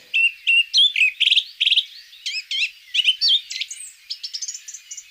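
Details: Song thrush (Turdus philomelos) singing in a forest in the Blavet valley: bright, varied whistled and chattering phrases, each motif repeated two or three times in quick succession, with no other sounds.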